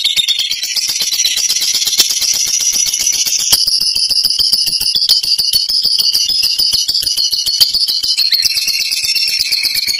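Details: Sustained, shrill, buzzy chatter from a fighter lovebird's long ngekek. The high, rattling notes are very fast and keep going for ten seconds without a break.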